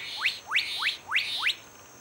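A Black-capped Donacobius gives five loud, sharply rising whistles, about three per second, each sweeping up into a bright ringing note. Only faint low background noise is heard.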